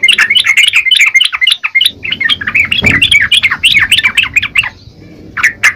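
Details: Yellow-vented bulbul singing energetically, rapid, evenly repeated chirping notes over several seconds, then a short gap and a couple of final notes; one dull low thump midway.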